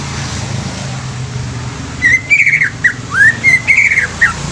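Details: Greater green leafbird song over constant hiss and low droning: two seconds of noise, then a lively string of arched and upslurred whistled phrases, each note quickly changing pitch.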